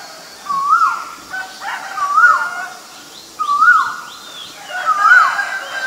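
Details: Male Asian koel calling: four loud rising whistled notes, each swooping upward then briefly levelling, repeated about every one and a half seconds, with faint higher bird calls in the background.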